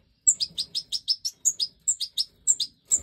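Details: Fledgling Goldfinch Major chicks, the last five of the 2024 breeding season, call to be fed by the hen: an unbroken stream of sharp high chirps, about four per second, with occasional thin squeaks.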